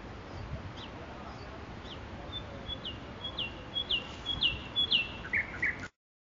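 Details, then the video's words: Nightingale song from Makui park: repeated down-slurred whistled notes that grow louder and closer together, mixed with thin flat tones, ending in two harsher chirps before stopping abruptly. "صدای بلبل"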